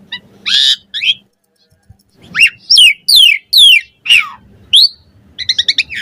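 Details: Asian pied starling full varied chattering song, a master recording for training other starlings: loud buzzy bursts, then falling and rising slurred whistles in quick succession, ending with a rapid stuttered series, over a faint low steady hum.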